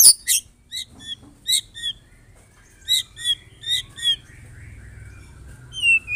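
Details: White-rumped shama from Medan, a wild-type murai batu, singing a dense kretekan song for morning masteran training of other birds; sharp high chips and short downslurred whistles in spaced bursts, with a low hum beneath.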